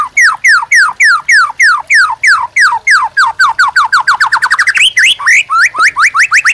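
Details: White-rumped shama master song to train caged birds: about three dozen loud descending whistles that repeat steadily and speed up, then shift into rising and twisting notes.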